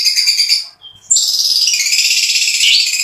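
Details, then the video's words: Long-tailed shrike song with mimicked fill-ins, harsh passages and fast rolling shots: a dense high chattering burst, a brief pause with a thin whistle, then a long unbroken buzzy, trilling stream. "BURUNG CENDET GACOR MEWAH ISIAN KASARAN DAN TEMBAKAN ROLL SPEED"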